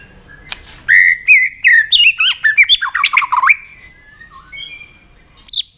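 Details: White-rumped shama stirred up to sing in challenge: a burst of rapid, varied whistles and hooked notes tumbling up and down for over two seconds, followed by quiet and a final high note.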